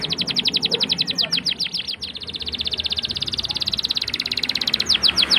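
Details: Canary singing chips and a long roll as a teaching lure for young canaries. Sharp repeated notes lead into an extended rapid, rhythmic trill of high pulses lasting several seconds, closing with a few swooping notes.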